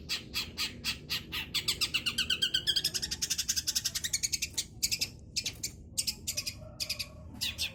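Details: Long-tailed shrike, a young bird practising the Kunti style, pours out a dense run of rasping high notes, nearly four per second, with a brief thin whistle slurred upward midway; faint low background rumble.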